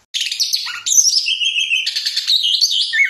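An orange-headed thrush delivers a dense, unbroken run of rich, high, varied phrases, fast and packed tightly together, with no other sounds.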